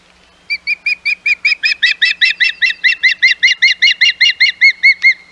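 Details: Intruding ospreys at the Hog Island nest, 11 May 2021: a continuous run of roughly twenty-two piping whistled chirps, about four each second, steady and evenly spaced.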